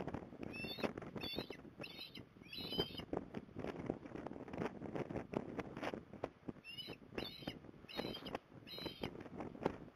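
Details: Mother osprey calling from a magpie perch, Port Lincoln, Australia, on 5 December 2020, trying to draw her youngster back home; two runs of sharp, piping whistled notes, four or five each, separated by a quiet gap, with background rumble.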